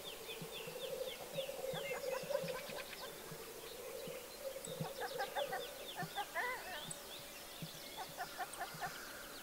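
Black grouse at a lek give a steady, low, dove-like bubbling that rolls on without pause, with sharp hissing notes and small songbirds chirping above.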